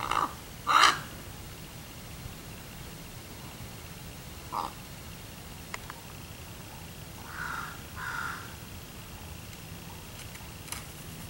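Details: A raven gives a few scattered hoarse, croaking calls, two loud ones near the start and a pair later, over a steady background hiss; filmed 10 August 2016.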